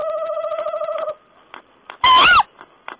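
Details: Owl vocalising on 14 April 2010: the tail of a trembling, drawn-out tonal note, faint soft clicks, then one abrupt loud harsh screech rising and dropping in pitch.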